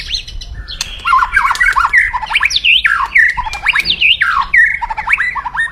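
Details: Caged white-rumped shama in loud, aggressive crackling song used to raise rivals' fighting mood: continuous rapid series of looping whistled notes, sharp upswept and downswept phrases with crackling clicks, hardly pausing throughout.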